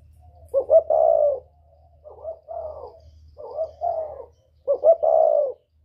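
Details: Whistle-voiced northern spotted dove, kept to lure wild doves: four cooing phrases in a row, the first and last loud with a stuttered opening and long hollow note, the middle two softer and shorter.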